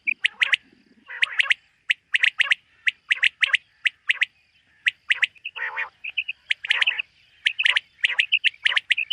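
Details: A common quail calls in a summer meadow in the morning. Sharp, bright notes come in groups of two or three, about twice a second, broken by a brief harsh, rasping burst partway through.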